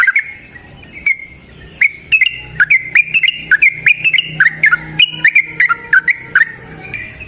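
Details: Yellow-vented bulbul, played to provoke another bird into singing; loud bubbly chatter of short rising and falling squeaky notes, rapid and uneven, with sharp clicks between phrases and a brief pause near the start.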